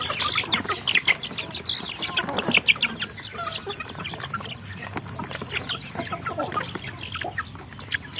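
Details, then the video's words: Little chicken chicks peeping together: a dense, steady chorus of short, high, thin chirps that overlap constantly, with some notes rising sharply and brief louder bursts near the start and middle, and no other clear sounds. "Sound of little chickens"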